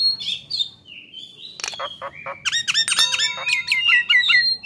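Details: Nias hill myna singing actively, recorded to train songbirds: high whistles and a level tone, a harsh burst, then a lively series of ringing, downward-hooked notes with a steady whistle beneath.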